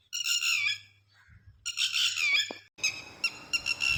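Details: Lapwing uttering loud, strident, harsh cries in three bursts separated by brief pauses, each burst a cluster of shrill, slightly descending notes; otherwise quiet background.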